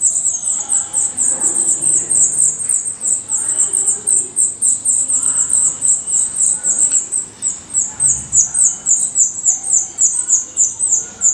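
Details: Black redstart at a nest in Portugal, giving a dense, almost continuous run of very high, sharp chip notes that keep a steady fast rhythm throughout, with faint low rustling in the background.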